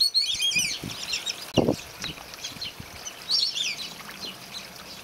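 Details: Juvenile spotted whistling ducks, newly added to a mixed whistling-duck flock in an aviary, give high, thin whistled chirps in two quick bursts about three seconds apart, with a dull thump between them.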